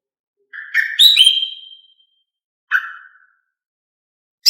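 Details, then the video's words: Female cucak ijo song used to get males singing: a loud whistled phrase rising to a strong note and trailing off, then a shorter falling note after a pause, and a final clipped burst; no background noise. "Siulan Kicau Cucak Ijo Betina untuk Buat Cucak Ijo Jantan Berbunyi"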